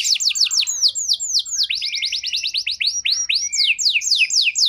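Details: Caged canary singing a lure song meant to prompt out-of-condition canaries to respond: rapid series of high downslurred notes, about four per second, running into a denser trill and then spaced sweeping notes.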